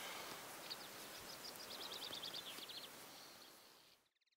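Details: Green sandpiper calling at forest ponds of Buda Stalowska in the Sandomierz Forest, Poland: a hurried series of sharp high whistled notes lasting about two seconds over a noisy outdoor background, then the recording drops away.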